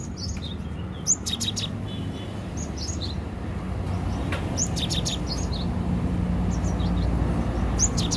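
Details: Cinereous tit (gelatik batu) from Aceh, kept at home and singing vigorously while hung up high (gantang style); short bursts of thin, high, repeated notes near 1, 3, 5 and 7.5 seconds over a steady low hum.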